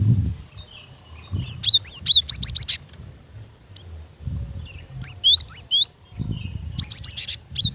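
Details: Female cinereous tit calling the male, used as a lure: bursts of sharp, high whistled two-note phrases, rising then dropping, repeated rapidly in three clusters with pauses between, over faint low rumble.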